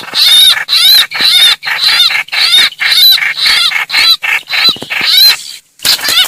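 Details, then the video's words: Trao trảo distress call, the bird crying for help and summoning its flock, used to lure greater coucals: rapid series of hoarse, quavering shrieks, about two per second, with a brief pause near the end. "tiếng chim trao trảo kêu cứu gọi bầy"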